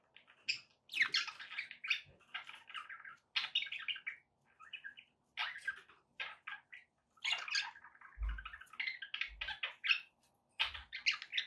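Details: Budgerigars, used to keep a pet parrot company and encourage it to eat and sing; steady lively scratchy warbling and chirping in short phrases, with a few low thuds.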